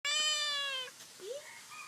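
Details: Black-collared starling that never learned to sing from its parents, making funny noises: a drawn-out, nasal, meow-like note lasting nearly a second, sagging slightly at the end, followed by a short soft rising note.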